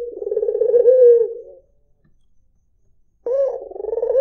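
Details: White dove gives one warbling, throaty coo that fades downward. After more than a second of silence, a new phrase begins with a rising note.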